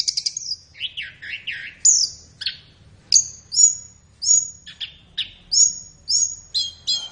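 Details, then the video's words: Tutor song of a flowerpecker for caged birds, best used morning or afternoon: lively mix of thin high notes, wavering buzzy slurs and regularly spaced sharp chips, clean with little background. "SUARA BURUNG - Masteran Terbaik Tledekan"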